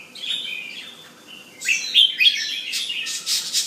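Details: Displaying male Penang bulbul indoors at home: mellow slurred whistles at first, then a louder, harsher stretch of chattering notes and noisy buzzy bursts near the end.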